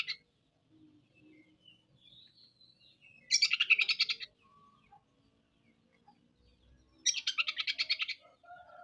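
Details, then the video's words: Oriental magpie-robin (kacer) in full song, performing rough 'materi kasar' material and unloading its repertoire; two dense buzzy bursts of rapid rattling pulses about four seconds apart, with soft scattered notes between. "MATERI KASAR.KACER BONGKAR ISIAN. KACER GACOR"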